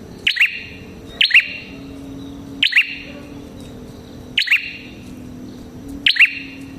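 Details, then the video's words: Red-headed prinia lure song: five loud two-part chirps at uneven intervals of one to two seconds, each a sharp high note sliding into a lower ringing twang, with soft hiss between. "Suara Burung Prenjak Kepala Merah Gacor Ampuh untuk Pikat Prenjak & Pancingan Prenjak"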